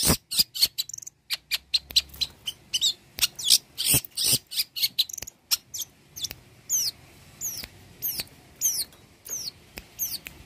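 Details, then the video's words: Long-tailed shrike song meant for training birds: rapid sharp high ticks and bursts at first, then repeated descending whistled notes roughly every half second. "Pancingan suara burung cendet gacor, BURUNG CENDET isian mewah cocok untuk masteran burung"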